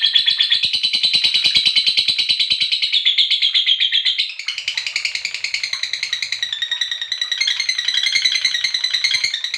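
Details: Lovebird giving the long ngekek, a nonstop rapid chattering trill used as a lure for other lovebirds. It runs high and steady for about four seconds, then drops into a slightly lower, rougher band and keeps going to the end.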